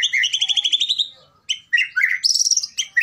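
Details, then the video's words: Medan white-rumped shama calling out to a rival: a fast run of bright chattering notes, a brief pause, then sharp varied chirps and whistles jumping between pitches. "keretekan burung murai ini memanggil lawan bikin lawan emosi"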